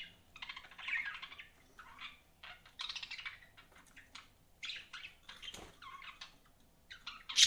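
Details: Pet budgies produce a stream of scratchy warbling chirps in short bursts, separated by brief gaps, ending with a sudden sharp high squeak.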